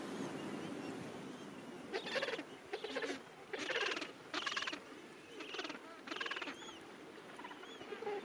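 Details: Gentoo penguin in a packed breeding colony at summer's end gives a series of about six rhythmic, raspy pulsed bursts, each under half a second, with steady wind behind.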